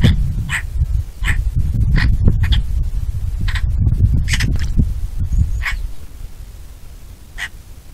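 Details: Bonelli's eagle giving a rapid, uneven run of short, scratchy call notes, some in quick doubles, fading toward the end, over loud low wind noise.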